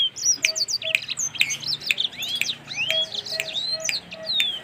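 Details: Black-throated canary at a bird farm singing energetically: a fast, dense jumble of high chirps, twitters and rising and falling whistled slurs, delivered continuously with short sharp ticks mixed in.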